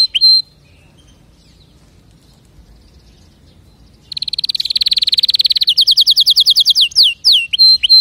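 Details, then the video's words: After a single high note and a few seconds of near silence, a canary bursts into a rapid, steady trill that changes into repeated descending whistled notes. "اذا كناريك ما تغير في ضرف دقيقة اطلقو وبلاش تربي كناري"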